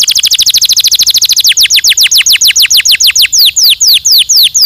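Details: Canary stimulating song in powerful walnut tours: a rapid stream of sharply descending whistled notes, slowing slightly midway into a steady rhythm of loud downslurs about four per second.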